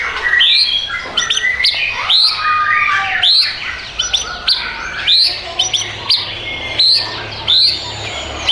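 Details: White-rumped shama (murai batu) song: loud, varied phrases of bright upslurred whistles, sharp ticking bursts and a falling whistle, delivered in quick bouts separated by brief pauses, over a faint low hum.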